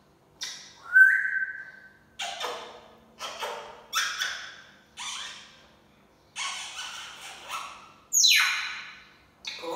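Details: Pet African grey parrot saying SubhanAllah: a bright whistled note, then a run of short, clipped speech-like syllables coming in bursts roughly every second, some hissy and high, indoors with no other sounds.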